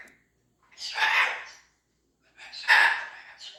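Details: Pet cockatoo, a female, producing ghostly-sounding noises: two loud, rough, breathy bursts spaced more than a second apart, the second carrying a short whistled edge.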